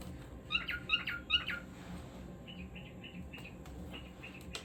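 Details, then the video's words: Cockatiel singing: a quick run of three bright, squeaky chirps, then softer short whistled notes repeating at a steady pace, with a faint room hum underneath. "Cockatiel Singing"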